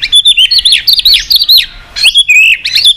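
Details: Excited white-rumped shama singing a many-voiced song: loud, rapid, high whistled notes sliding up and down in quick bursts, with a short pause before a new run of phrases.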